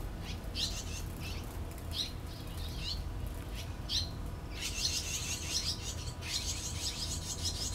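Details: Barn swallows at a nest with young, 6 June 2013; separate high chirps give way to dense, buzzy bursts of twittering in the second half, over a continuous low rumble.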